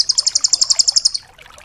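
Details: Rambatan doraemon nuthatch, used as a tutor song for other songbirds; a single high, evenly spaced trill of about thirteen sharp notes lasting just over a second, then quiet.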